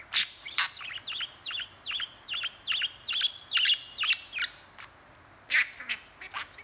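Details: Budgerigar chattering and talking: quick bursts of high chirps and short warbled notes, about two per second, with a brief silent gap near the end before another cluster of sharp tweets.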